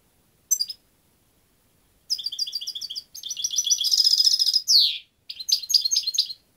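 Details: European goldfinch singing a lively high song: a lone note, then rapid repeated tinkling figures, a dense buzzy trill, a downward-sweeping slur, and more quick twittering phrases; no background noise.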